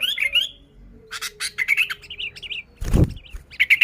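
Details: Sooty-headed bulbul singing, a recording used to lure bulbuls: scattered chirps and warbled phrases mixed with sharp clicks, with one loud dull thump near the end.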